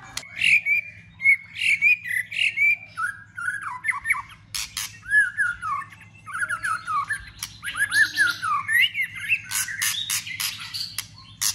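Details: Fighting song of a white-rumped shama, flicking its tail to rouse other birds: varied whistled phrases and downslurred notes broken by loud sharp clicks and snaps, over a faint low hum.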